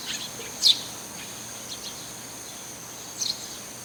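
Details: One Eurasian tree sparrow calling from a rooftop where it has been heard regularly: two quick, sharp high chirps near the start and end, separated by quiet with a faint steady high tone in the background.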